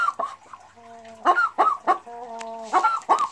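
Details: Boris Brown hen cackling boastfully after laying her very first egg, recorded 4 December 2016: drawn-out, steady, nasal tones alternate with sharp, abrupt clucks, a classic repeated laying cackle rhythm.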